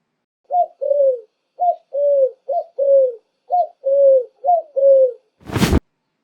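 A dove gives five soft paired coos, each a short lifted note then a longer falling one, roughly one pair a second, ending with a sharp thump.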